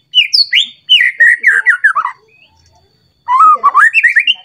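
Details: Emotional White-rumped shama, aroused as if facing a rival and unloading its repertoire. A fast string of whistled notes sliding downward, a pause of about a second, then a fresh run of whistles rising again.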